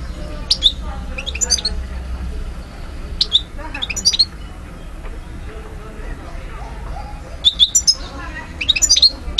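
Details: Goldfinch (Carduelis carduelis parva) recorded in Algiers, Algeria, in 2012, giving scattered clusters of sharp, high chirps and twitters spaced a few seconds apart over steady low hum.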